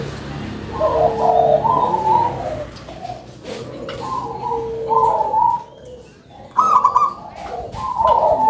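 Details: Zebra dove of a local strain, described as singing actively with a big voice: successive rolling, trilled coo phrases with sustained mellow tones, a brief pause near the end, then more cooing resumes.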